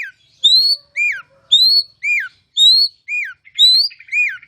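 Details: Kacer masteran song in loud ngeplong style: paired notes, a high upward whistle then a sweeping downslur, repeated roughly every second, with a faint buzzy rattle near the end.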